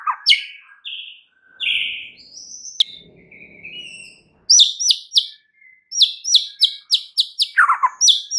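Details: White-rumped shama singing as a lure to stir up other shamas: clear whistled notes at several pitches, a brief soft muddled patch, then rapid repeated high ringing chips broken by a falling lower trill.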